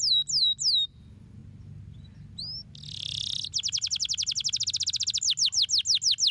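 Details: Canary song meant to stimulate lazy canaries into singing: a few falling whistled notes, a short pause, a buzzy burst, then a fast, even trill of sharp descending notes repeating several times a second over a soft low background hum.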